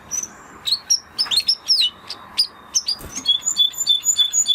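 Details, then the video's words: Spanish Timbrado canary song of scattered high chirps and down-slurred notes, ending in a quick repeated trill of evenly spaced high notes, over a faint background hiss. "Canary Sound Effect - Canary Singing Video"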